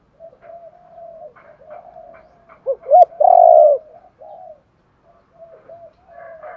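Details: Spotted dove, a caged bird whose calling is used to stimulate newly caught wild birds to call. Soft low coos recur through the clip, building to two short notes and then a long, loud, steady hooting coo near the middle, followed by quieter coos.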